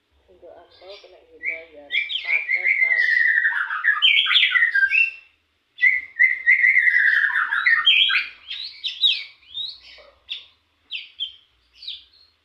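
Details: Young cigun, a captive songbird, practising a rapid song in the ngebren style: loud, fast run of buzzy rising and falling whistled phrases, a burst of about five seconds, a short pause, then a second burst ending in scattered short notes.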